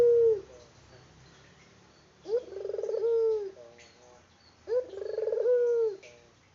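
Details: Local turtle dove, a vocal bird in unedited recording, gives two long rolling coos about two seconds apart, each a short rising note then a throaty trilled purr ending in a falling tone, over quiet background.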